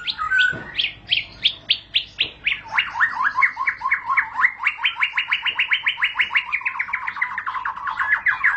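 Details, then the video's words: White-rumped shama's long rolling ngerol song: spaced, sharp whistled notes that quicken into a long, even, rapid rattle of repeated notes lasting several seconds. "para raja murai batu ngerol panjang"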